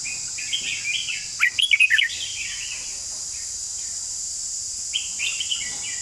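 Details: Red-whiskered bulbul song: soft warbling notes, then a brisk run of bright chirps, a pause, and another short lilting phrase, all over a continuous cricket-like hiss.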